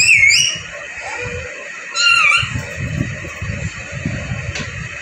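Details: Rose-ringed parakeet in Vehari, Punjab, Pakistan, in happy mode, talking and dancing; two sharp, bending squeaky calls about two seconds apart, the first wavering down then up, over a low indoor hum and rustling.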